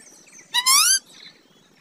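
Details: A talking pet parrot gives a single loud, nasal, two-part word-like utterance under half a second long, pitch rising slightly, amid faint background noise.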